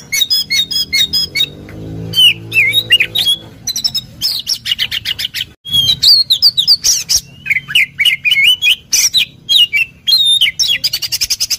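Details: Oriental magpie-robin song used to provoke another magpie-robin into answering: fast, varied whistled phrases with sharp chattering bursts over a steady low hum, followed by sweeping slurred notes.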